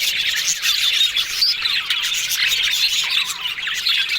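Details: Several yellow budgies chattering happily, their talking sounds forming an unbroken mass of high twittering, quick trills and short squeaks layered over one another, with a few brighter whistled notes standing out.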